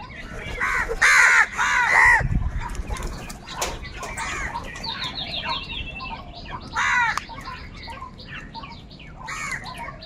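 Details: Crows fighting for food, crying angrily and loudly: a pair of coarse caws early, then wingbeats and a thud, later another hoarse caw and a fainter one amid a busy chorus of twittering small birds.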